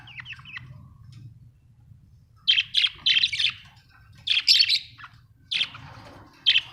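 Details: Budgerigars kept as pets at home give bursts of harsh, scratchy chirps and squawks in short clusters, separated by brief quiet gaps, with low room hum beneath.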